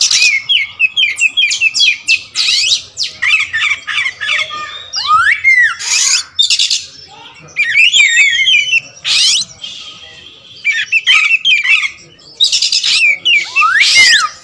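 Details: Long varied song of an all-black kacer wulung magpie-robin, mixing rapid chattering runs, harsh raspy bursts, looping whistled slurs and upward sweeps, with short pauses between phrases.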